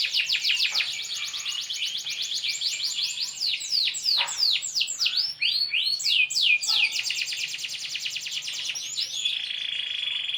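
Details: Brightly coloured canary in full gacor song: a long, loud, unbroken run of high chirps, rolling trills and quick down-slurred whistles, phrases changing every second or two and ending in a steady buzzy trill.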